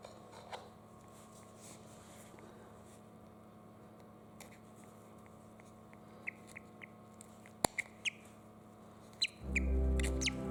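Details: A Ferruginous hawk chick, trapped in its egg for some time because of poor hatchery humidity, gives thin, high, short peeps that grow more frequent toward the end, over a steady low hum, with a sharp click and a rumble of handling noise.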